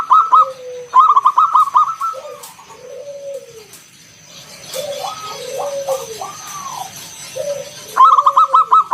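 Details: Zebra dove from the wild, local type, giving ngalun kung bulat song as a lure for other doves: bursts of fast clipped notes alternating with lower, drawn-out arched coos.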